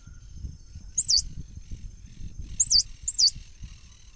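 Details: Swallow-tailed hummingbird uttering three very high, twisting, squeaky notes, one alone and then a close pair, with a faint steady high tone and low background hum.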